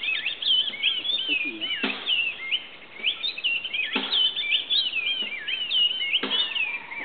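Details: Oriole warbler calling at Grand Popo, Benin, a rich run of looping whistles with rising and falling slurs, dense and overlapping throughout, with three brief knocking clicks spaced a few seconds apart.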